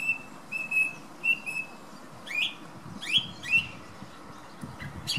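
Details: A thrush sings its morning song outside a bedroom window on a windy day. Short level whistles repeat at first, followed by sharper slurred notes that rise and fall, with constant wind noise underneath.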